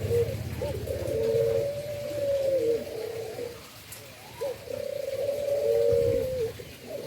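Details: Indonesian endemic dove kept for breeding in Indonesia, giving low drawn-out coos that hold steady then dip, in two long phrases with a short gap between them.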